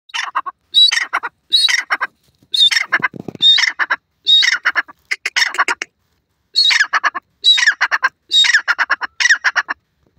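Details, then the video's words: A Black francolin (maja teetar, Dark Francolin) gives harsh, grating phrases of rapid clicking notes, each about half a second long, repeated roughly once a second with short gaps. "teetar ki awaz,teetar voice,teetar ke sound"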